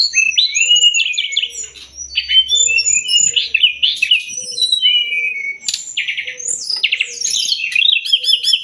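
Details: Sumatran leafbird master song for teaching songbirds: busy stream of high whistles, twittering slurs and buzzy rattles, rising in intensity toward the end, with a faint low hum.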